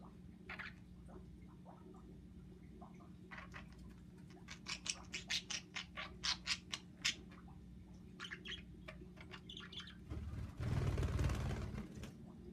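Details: Three pet budgerigars chatter in quick, scratchy chirps and squawks over a steady low indoor hum, as one interrupts two others getting frisky, apparently out of jealousy.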